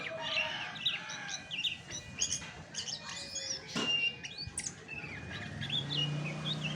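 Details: Chestnut-backed thrush song in its original form without added birds: rapid high chirps and twittered phrases, broken by a brief rustle and a low hum late on.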